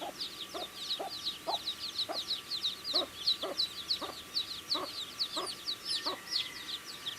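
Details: Baby chicks chirp while pecking at food, producing a lively mass of high-pitched peeps and regular tapping knocks, with a faint drawn-out tone near the end.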